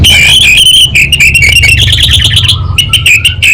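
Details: Caged orange-headed thrush from Singaraja in northern Bali in full, vigorous song. It pours out a continuous dense warble of scratchy, buzzy and whistled notes without pause, with a few lower whistles near the end.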